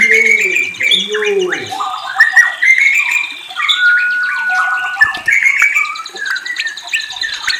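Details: Rich whistling from a white-rumped shama (murai): low mellow slurred notes at first, then bright sustained whistles, a long level note and fast trills layered over one another.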